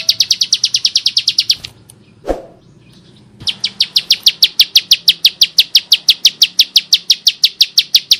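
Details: A Bar-winged prinia (Prinia familiaris), a lively singer with a harsh voice used as a song tutor or lure for other prinias, sings fast runs of harsh, high, evenly spaced notes, several per second, broken by a short pause and a dull thump.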